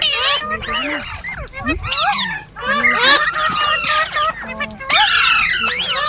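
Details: Several green parrots chatter at once in a busy mix of harsh squawks and bent, whistled notes that rise and fall, with brief pauses between bursts.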